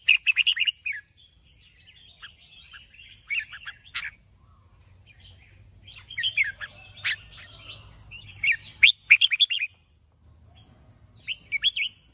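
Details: Red-whiskered bulbul delivering repeated short bursts of liquid, chirpy warbled notes separated by pauses, with a continuous high hiss in the background.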